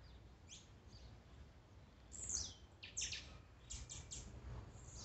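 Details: Blue-black grassquit (tiziu) songs and male-style calls, played as a warm-up to excite a kept bird: short, very high, buzzy bursts near two and three seconds, then a quick run of three or four similar notes, over low background rumble.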